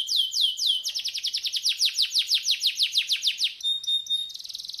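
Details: Canary master song aimed at curing laziness in singing: slow sweeping notes, then a long rapid series of descending whistles, followed by a pure steady tone and a buzzy high trill.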